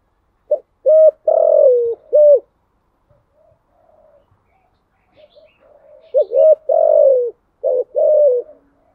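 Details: Spotted dove cooing in the "thúc gù" style: two phrases of hollow coos, each with a long falling middle coo framed by shorter ones, separated by a quiet gap with soft murmurs.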